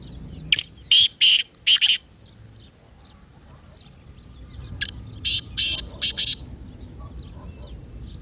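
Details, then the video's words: Partridge (teetar) 'masti' call meant to make a quiet partridge start calling: a run of four grating, buzzy notes, about three seconds of near silence with faint chirps, then a second series of four to five harsh bursts. "تیتر کی مستی والی آواز:اب خاموش تیتر بھی بولے گا"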